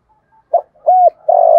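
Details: Spotted dove coaxing coo ('thúc gù'), 'giọng thổ' style, meant to stir wild doves: a clipped low note, then a longer hollow coo and a drawn-out, steady final hoot.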